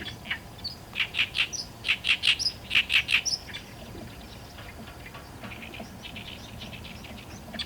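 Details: An Oriental reed warbler sings a loud, harsh, grating chatter of rapidly repeated croaky notes in short bursts, then fades into softer, quicker chatter.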